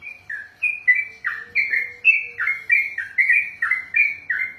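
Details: Kept trucukan, or sooty-headed bulbul, trained for contest, pouring out a 'ropel' of sweet whistled phrases, each a bright note sliding down into a lower one, about twelve in quick, slightly uneven rhythm.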